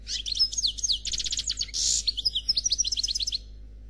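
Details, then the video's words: Faultless Noir Khalwi song from a European goldfinch, a dense rush of rapid twitters and rattling trills broken by a short buzzy note, ending at about three and a half seconds. "Chardonneret Noir Khalwi Chant sans fautes"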